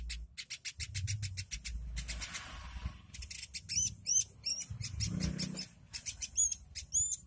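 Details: Very vocal woodpecker, meant as tutor material for songbirds: quick trains of sharp high chips, then a run of short hooked whistled notes, over a background of low rumbling noise and faint hiss.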